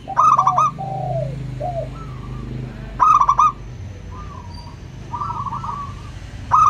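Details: Zebra dove, a local bird, singing in a clear ringing style used to coax quiet doves into song: loud purring trills repeated about every three seconds with softer falling coos between, over a low rumbling background.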